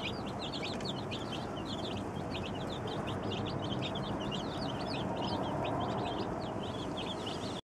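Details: Brand-new batch of twenty-seven baby chickens calling at once, a constant stream of shrill falling peeps, about four per second, overlapping against a loud steady background hum.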